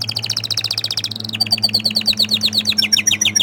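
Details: Orange frost canary with a rapid pulsed trill that drops in pitch, then a run of quick chirping notes repeated several times a second, over a faint low hum.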